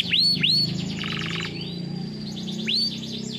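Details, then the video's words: Canary singing in a training session: a few looping swept whistles, a brief buzzy rattle, then more swept notes over a steady low background hum. "Canary live singing song training canaries bird"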